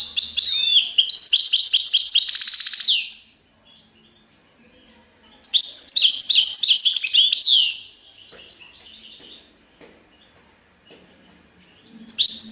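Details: Caged European goldfinch singing: bright phrases of rapidly repeated tinkling notes with a buzzy trill, each phrase a few seconds long, broken by quiet gaps, faint background noise.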